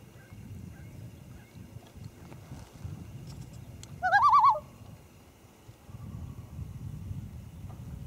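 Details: Common loons on Great East Lake, Wakefield, New Hampshire, recorded from a canoe in the early morning of 1 August 2012 on a Panasonic camcorder; one loud wavering tremolo, rapid quavering notes lasting about half a second, over faint low rumble.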